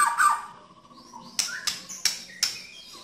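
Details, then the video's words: White-rumped shama singing: a rich whistled phrase, then four sharp, explosive notes about every half second, rising into high whistles; used to prompt shamas that have stopped singing. "Murai Batu Nembak Kasar dan Jernih"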